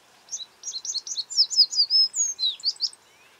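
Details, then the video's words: American tree sparrow calling: a quick run of high, sharp chirps and short slurred whistles, about a dozen notes in three seconds, some notes sliding downward, in an otherwise quiet setting. "American Tree Sparrow Bird Sound Bird Calling, Chirps"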